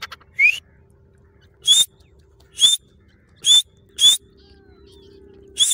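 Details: Female grey francolin giving single sharp, rising whistled notes, each short and high, spaced roughly one to two seconds apart, over a quiet low background hum.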